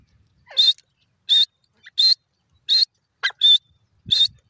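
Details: Grey francolin giving a series of sharp, high, whistled notes, evenly spaced about every 0.7 seconds, with a brief soft squeak among them against an otherwise quiet background.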